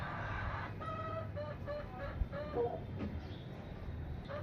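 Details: Indian rooster crows in broken, hoarse phrases with a steady mid-pitched tone, over a constant low rumble of background noise.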